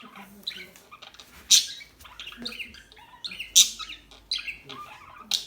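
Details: Small birds chirping in a busy chorus: sharp, high tweets and short trills overlap, with loud piercing notes roughly every two seconds over a quiet background.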